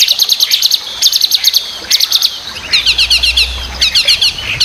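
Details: Chinese hwamei (wambi), described as a very noisy, constant singer used to tutor other cage birds: rapid bursts of sharp, high chattering notes in quick clusters, separated by brief pauses and sweeping whistles.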